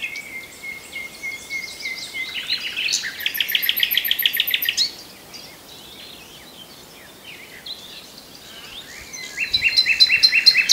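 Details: Common nightingale song: a sustained high whistle leads into a loud, rapidly repeated series of sharp notes for about two seconds, then silence before another fast rattling phrase begins. A soft insect-like hiss is in the background.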